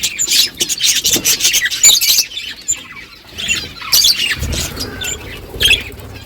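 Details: Flock of budgerigars in the morning, talking to one another with rapid chirps and scratchy squawks in bursts, plus clicks and a low flutter or rumble near the end.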